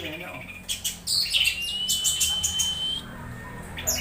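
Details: Orange-headed thrush uttering strange sounds while being excited, played to coax others to sing: sharp clicks and chips lead into a long, thin, steady whistle lasting over a second, then a few scattered clicks.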